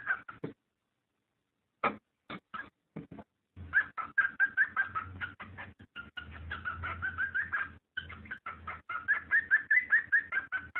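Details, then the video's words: ['Cockatiel mating call meant to stimulate breeding: scattered chirps at first, then dense, fast chattering notes over a low steady hum.'] "صوت تزاوج الكوكتيل لتحفيزها"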